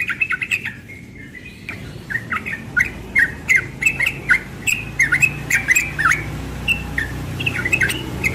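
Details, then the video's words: Young yellow-vented bulbul in the morning, rapid 'ropel' singing: after a short opening burst and a pause, a long steady series of bright, looping warbled notes follows at an even, quick pace. "Trucukan muda ropel pagi"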